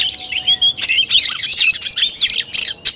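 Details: Oriental magpie-robin giving fighting-style tarung song, dated 17 August 2021. Loud clustered bursts of high whistles and scratchy notes, sharply broken by brief silences.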